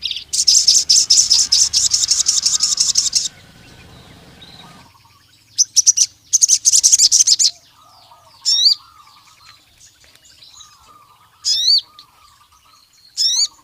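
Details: Sogon (Javan cuckoo-shrike) calling rival males: a long, intense high buzzing trill, a second shorter burst, then spaced single rising whistles with soft low chatter between them.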